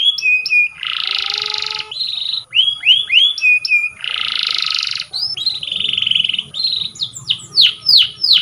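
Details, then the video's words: Training song from a canary, mixing harsh buzzy blocks of sound with quick arched whistles, a flat rattling trill, and a final run of loud descending sweeps. "Canary Singing _Canary's most powerful song for training _ الكناري"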